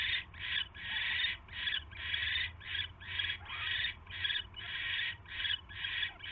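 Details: Barn owl at a nest on an evening in January as a mouse is delivered; rapid series of harsh, breathy hissing screeches, about one every half second, with low background hum.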